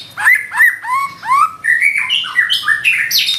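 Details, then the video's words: White-rumped shama in full song, a rapid flow of short slurred whistles about three per second, some swooping down, others rising, ending in a high sharp flourish. "Murai batu nembak isian gacor"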